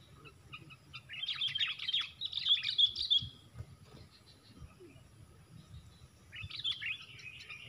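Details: Sooty-headed bulbul calling during a four-against-one fight, giving a rapid run of bright warbling chirps, a pause, then another similar burst, over a low steady background hum.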